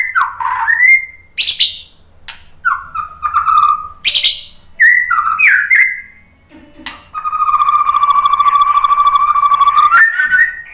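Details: White-rumped shama song used as a lure for other birds: short slurred whistles and sharp high notes, then a long steady buzzing tone held for about three seconds.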